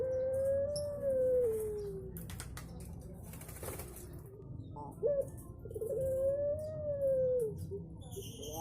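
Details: Barbary dove, known locally as puter pelung, cooing melodiously: long, smooth, low tonal coos, each drawn out over about a second and falling at the end, with a steady background hiss and some rustling between the coos.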